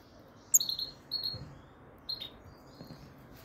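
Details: European goldfinch of the subspecies frigoris giving a few high, thin tweets: a quick cluster of bright notes, then a short pause and two more brief chirps, over a quiet, low background hiss.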